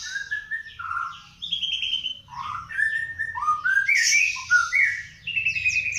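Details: Young panda canary learning its song: varied warbling with slurred whistles and short rising notes, scratchy bursts and a sustained high trill near the end, delivered continuously.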